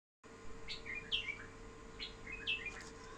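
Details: Pet bulbul giving two short bright phrases of whistled, slurred notes, each a quick cluster of rising and falling tones about 1.3 seconds apart, over a steady low hum and faint indoor background.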